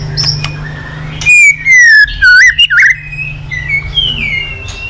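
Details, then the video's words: White-rumped shama singing in the morning as a lure for other birds: a clear, loud whistled phrase of sliding, looping notes, softer whistles after it, with a low hum early on. "Pancingan Murai Batu Pagi hari efektif buat Gaco mu auto Gacor || The melodious of the stone magpie"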